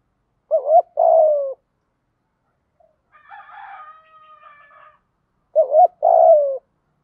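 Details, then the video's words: Spotted dove cooing used as a lure to make a new decoy bird coo: two phrases of a wavering low note plus a longer falling coo, separated by a soft stretch of higher tonal sound. "chim cu gáy tập bổi hiệu quả mới nhất, tiếng gáy giúp bổi nghe rất xiếng gáy và nổi mau"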